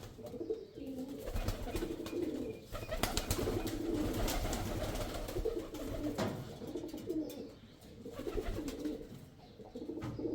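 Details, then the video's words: Rolling, guttural coos of a male pigeon run through the recording, with frequent clicks, knocks and rustling noises on top. "pigeon sound | kabutar ki awaz | Male Pigeon sound"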